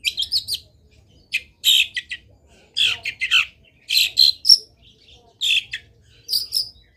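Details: Long-tailed shrike singing energetically with varied fill phrases, a recording to get other shrikes singing: scratchy squawks and chirp clusters broken by brief silences.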